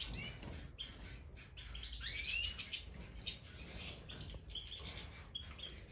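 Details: Captive Major European goldfinches, including pied and white-headed colour forms, in an aviary with freshly scattered bird sand; bright chirps and quick upward-sweeping twitters overlap, with rustling and scratching beneath.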